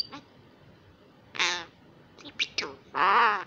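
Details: Young common myna, a rescued wild female in Israel taking an early Hebrew lesson: quiet pause, then a loud harsh rasping burst, a few quick squeaky notes and a long grating squawk.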